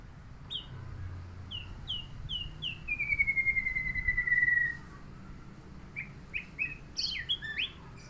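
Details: Neighbour's murai songbird sings a series of short, downslurred high whistles, then one long, smoothly falling whistle, and later a cluster of quick, sharp chirps and twisting notes.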